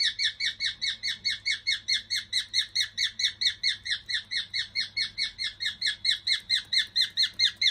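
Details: Pet cockatiel, possibly male, hatched October 2019 and kept indoors with two other cockatiels, performing its 'march song' while walking: a fast, steady run of short, harmonic-rich, downward-sweeping chirps, about four per second, continuing unbroken throughout.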